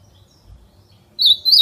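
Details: An ultramarine grosbeak with "fibra" song, calling and singing outdoors, gives two clear, slurred whistled phrases at high pitch, about a third of a second apart, over a quiet low hum.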